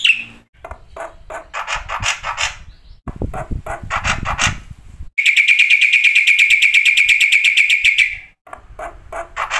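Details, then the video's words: Black-winged starling song used as a training and lure recording, with dense rapid chattering notes and a long buzzy rattled trill near the middle, broken by bursts of low rumbling noise. "masteran jalak putih suara full isian pancingan jitu"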